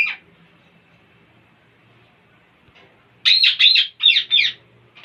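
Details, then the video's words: Parrots producing funny noises: one brief squawk, a long near-silent stretch with faint background hum, then a loud run of five buzzy, warbling squawks. "Most Beautiful Parrots Are Making Weird Sounds And Funny Noises !"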